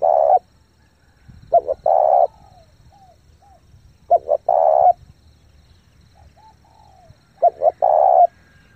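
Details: Spotted dove kept as a lure, cooing in quick succession to excite wild birds; four phrases of two brief notes and a long low coo, about every two to three seconds, with faint slurred whistles between.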